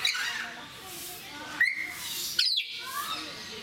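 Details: African grey parrots in captivity at a zoo in Mysore, talking: a few scattered vocal sounds, including a sharp rising whistle-like note and brief squawky bursts, over a quiet background murmur.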